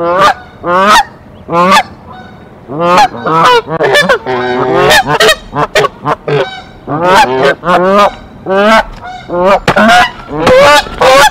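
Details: Mother and father Canada goose defending their nest from an intruder female in Decorah, 1 April 2024: rapid, dense series of loud harsh honks, some overlapping in a frantic burst around the middle.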